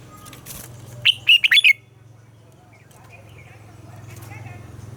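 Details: Red-whiskered bulbul morning song for training captive birds: one quick phrase of four or five bright warbled whistles over a steady low hum, followed by softer faint chirps.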